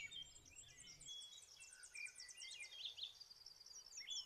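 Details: A Bay-breasted warbler singing on territory in boreal forest of Maine: very high, thin song, a quick run of repeated hissy notes, mixed with several other birds chirping at lower pitch.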